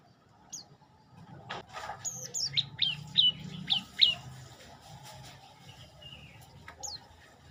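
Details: Olive-backed tailorbird song: a quick run of five or six sharp, high slurred chirps in steady succession, then scattered single chips, with low rumbling background noise.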